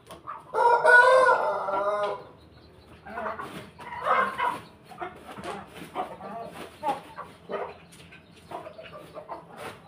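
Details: Crowing chicken among pelung, Bangkok and laughing (ketawa) chickens kept together; a strong, layered crow of about one and a half seconds at the start, then softer scattered clucks and calls from the flock.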